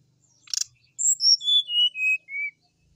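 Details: Sooty-headed bulbul song played to make other bulbuls join in: a brief harsh rattle, then a clear descending run of about six high, pure whistles at even spacing.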